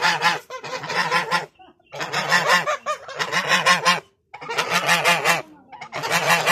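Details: Goose giving loud harsh honking calls in long rapid bursts, four bursts separated by short silences, rich and nasal across a wide range of pitch.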